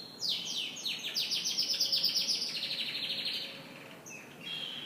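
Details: Canary singing in the morning: a fast series of sweeping high notes, then rapid repeated buzzy trills, a short pause and a final thin whistled phrase.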